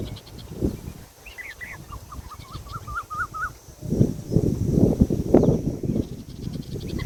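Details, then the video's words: Indian peafowl peahen calling: a series of about eight short, wavering, nasal notes, the first few higher and then settling lower, steadily repeated for two seconds, followed by loud low rumbling background noise. "Peahen bird the Indian peacock/most clear sound"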